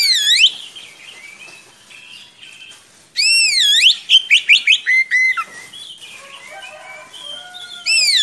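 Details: Vigorous Oriental magpie-robin delivering long rolling song as a tutor for young magpie-robins. Looping whistles are followed by a burst of rapid sharp repeated notes, descending trills and softer varied warbles, then the swooping whistles return.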